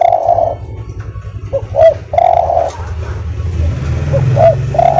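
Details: Spotted dove, recorded as a master for training birds, repeating soft mellow coos: short clipped notes followed by a longer rolling coo, against a loud low rumbling background noise.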